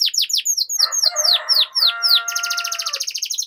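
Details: Canary training-lure song meant to make canaries sing long rolls: repeated downward-sweeping whistled notes, a lower droning tonal passage in the middle, then a rapid high buzzy trill.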